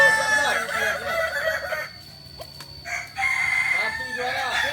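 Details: Balenggek crowing chickens at a training session in Ampang Kualo, Solok; overlapping crows, a quiet gap near the middle, then a renewed long crow with bright harmonics and further calls behind.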